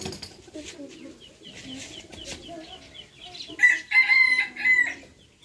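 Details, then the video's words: Rooster crowing in the morning; a harsh, ragged crow in three loud bursts near the end, after soft clucking and a steady chorus of repeated high chirps from small birds. "Adorable rooster crowing sound effect"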